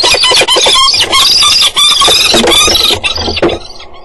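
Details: Two peregrine falcons on a grating at dawn (06:47, 3 April) fight, locking feet and falling together; loud, harsh, grating screams in ragged rapid bursts of about three per second, fading at the end; no other sounds stand out.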